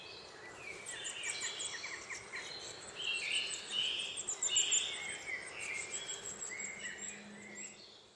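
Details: Nuthatch in Cornwall, filmed 23 May 2010 while feeding its chick: a busy run of high, buzzy, slightly wavering notes that swells in the middle, then fades, with soft noise behind.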